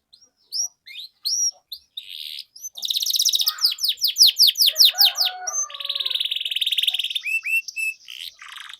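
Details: Canary giving a long song meant to train young canaries. Separate rising whistles open into a loud run of quick descending chirps, then a sustained buzzy trill and short upslurred notes.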